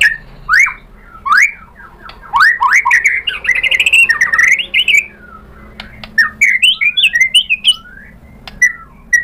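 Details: White-rumped shama fighter lure intended to raise a rival's aggression; harsh squawky slurred notes and up-swept whistles delivered in rapid clusters, separated by short quiet gaps.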